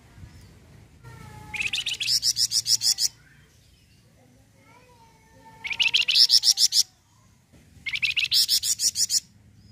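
Three bursts of high, rapid chattering notes, each about nine or ten sharp ticks over a second and a half, with pauses between and faint lower whistles behind.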